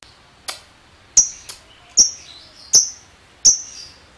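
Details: Lovebird giving single sharp, high chirps, each a short downward-sweeping squeak, spaced roughly every half to three-quarters of a second, with a quiet background.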